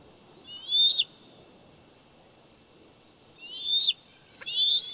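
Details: Bald eagle eaglet aged 104 days at its Big Bear Valley nest, July 27, 2019: three piercing rising whistles, one early, then two close together after a pause of over two seconds, over faint background hiss.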